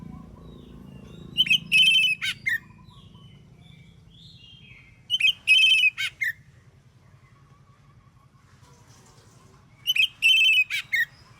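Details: Oriental magpie-robin in vigorous morning song aimed at making other magpie-robins answer: three matching high whistled phrases, each with quick notes, a held whistle and a falling slur, about four seconds apart over faint low noise.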